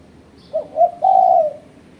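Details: Spotted dove lure call for challenging rivals, clear and close: two short coos then a drawn-out coo easing down at the finish.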